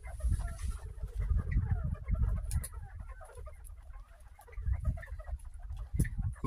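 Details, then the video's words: Captive northern bobwhites, dry and just given fresh kale and greens, give soft, low chattering clucks in quick, irregular bursts, which the keeper calls their happy sounds, over a heavy low rumble of handling or wind noise. "Bobwhite Quail Happy Sounds"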